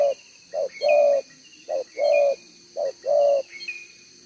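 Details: Cooing of a wild spotted dove in the one-ending style, a bird with a two-row neck collar, approached with a decoy in Vietnam. Three short-long pairs of mellow low coos come about once a second over steady insect buzzing and thin bird chirps.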